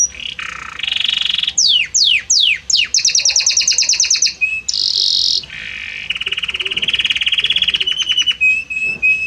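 A Belgian canary sings a loud, varied song of sweeping downslurred whistles, fast rattling trills and sustained buzzy rolls, changing phrase every second or so.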